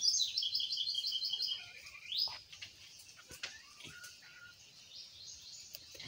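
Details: A pet pink-necked green pigeon gives a high, fast warbling trill for about two seconds, then a single rising whistle and a few softer notes over faint background noise.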